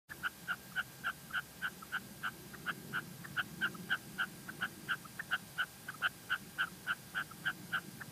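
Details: Female red-legged partridge in La Mancha giving short, clipped notes repeated rapidly, about three to four per second, in an even run. A low rumble of background noise sits underneath.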